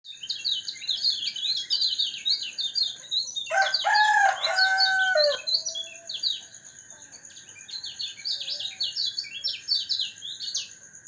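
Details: Caged white-eye (kecial kuning) given morning dew exposure to keep it healthy and singing strongly: rapid high twittering phrases of short descending notes, a louder burst of lower chattering midway, a steady high whine running throughout.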